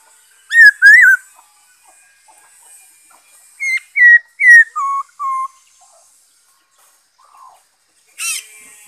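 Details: Song of a black-throated laughingthrush, dated 5 May 2021: two loud rising whistles, a pause, then a phrase of five clear whistled notes stepping down in pitch, a faint slurred note and a final sharp burst.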